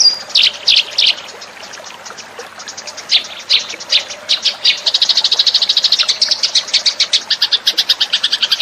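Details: Eurasian tree sparrow lure call, beginning with scattered loud, sharp chirps separated by short pauses, then building into a fast, rhythmic run of high chattering notes that carries on to the end.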